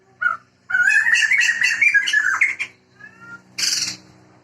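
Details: A Sumatran laughingthrush pair, male and female, from Sumatra where the species is endemic and protected, sings loudly: a single short note, then a long, rapid, rising and falling cackling chatter, and a final harsh burst.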